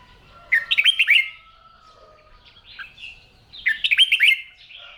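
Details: Red-whiskered bulbul kept for singing practice each morning; a loud cluster of quick, looping whistled notes is repeated twice about three seconds apart, with soft warbling between and a steady faint whistle behind.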